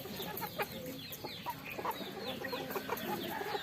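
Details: Rice-eating farm chickens produce a steady stream of soft, overlapping clucks and brief rising chirps from several birds feeding together.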